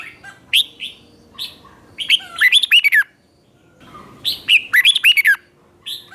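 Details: Red-whiskered bulbul teacher song, the doubled 'boen' style meant for young birds to learn: two similar phrases, each opening with separate chirps and then a rapid string of bubbling, swooping whistles, with a short pause between.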